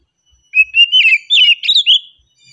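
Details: A single flowing phrase from an oriental magpie-robin singing calmly, with sweet whistled notes rising in steps, then quick twisting slurs and a final clear downward whistle, in a quiet setting.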